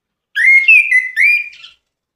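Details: Orange-headed thrush singing a sweet phrase: a loud, clear run of sliding whistled notes, rising then holding steady with brief breaks, lasting about one and a half seconds in otherwise silent surroundings.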